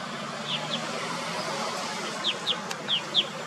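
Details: A male Purple Martin at a colony in Atascadero on 4 May 2021 gives six short, high, down-slurred chirps, paired and spaced unevenly over three seconds, against a steady rumble of traffic noise.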